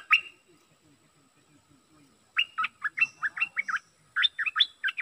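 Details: Bulbul used as a decoy bird: one clear note opens, then after a pause a rapid series of short, bubbly, warbled phrases pours out, broken by a brief gap and resumed with similar chattering notes.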